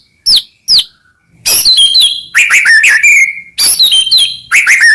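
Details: White-rumped shama singing dense mixed phrases used as master song to stimulate other shamas: two sharp high chips, then loud tumbling warbles and whistled slurs in overlapping bursts.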